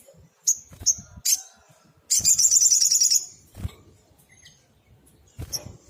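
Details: Active singing sunbird, recorded as tutor song: a few sharp high single chirps, then an intense rapid chattering trill lasting about a second, followed by sparse notes and faint knocks.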